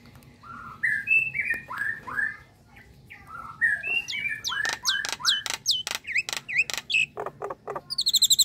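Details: Nias hill myna calling, described as a relaxed sound that does not frighten. Rising and falling whistled slurs come first, then a run of sharp clicking notes and upward-hooked whistles, ending in a quick high trill.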